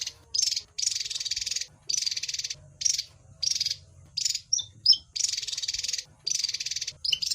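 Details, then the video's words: Javan white-eye song: high, scratchy trilled bursts repeated roughly every second, with a couple of sharp clear chips in the middle. "Mp3 Suara Burung Wergan Jawa"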